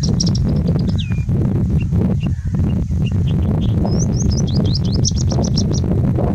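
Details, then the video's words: Singing bush lark in strong wind in India, giving a sliding whistle, then after a pause a fast string of sharp, high, rising notes, all half-buried under heavy wind rumble. "Singing Bushlark singing in the wind"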